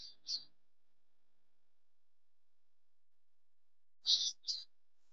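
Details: Male Palestine sunbird (Cinnyris osea) at Tanomah, Asir Region, Saudi Arabia, giving sharp, high chipping notes in quick pairs, with a long silent gap between the pairs; nothing else is heard.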